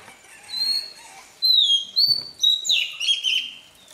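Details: Oriental magpie-robin, a wild-caught bird, singing its morning voice-training song. A soft opening gives way to clear, sliding whistles. These are followed by several loud chopped notes and a buzzy, warbling flourish.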